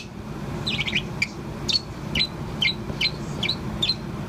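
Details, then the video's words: Bourke's parrot, a young pet about four months old, singing on and on: a warbled opening note followed by a series of sharp, high, down-slurred chirps roughly twice a second, with low background hum. "Chirp of Poh, the Bourke's Parrot. アキクサインコのポーのさえずり"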